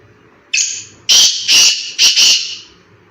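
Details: Single loud call of a black francolin in a forest: a brief whistled lead note, then four strident, grating notes in quick rhythm, ending abruptly.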